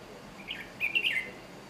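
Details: Red-whiskered bulbul from Chiang Mai, Thailand: a brief lead note followed by a rolling, warbled phrase of three or four bright chirps, over low background hiss.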